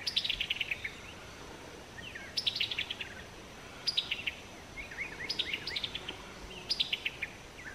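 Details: Summer Tanager giving its distinctive chuckling call note, a quick descending rattle of clipped notes repeated about every one and a half seconds, five series in all, over steady faint background hiss.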